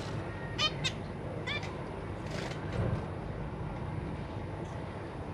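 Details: Zebra finches in a large cage, parents busy feeding newly hatched babies alongside three juveniles; a few short nasal harmonic calls in the first two seconds over a steady low hum.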